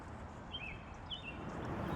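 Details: An American robin on an early morning bird walk along Noses Creek Trail, Kennesaw Mountain, North Georgia, gives two short, slurred whistled phrases about half a second apart, faint over a steady low rumble.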